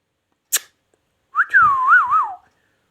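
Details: Ringneck parrot kept as a pet gives a clear whistled phrase: a rising note, then a smooth falling glide and two quick wavering up-and-down loops, preceded by a sharp click.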